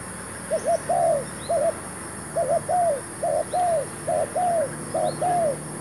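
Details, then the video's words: Spotted dove used as a newly brought decoy bird while luring wild doves to a new trap: repeated coos, each a short double note followed by a longer arched, purring note, given about every second against steady background hum. "MEMIKAT TERKUKUR"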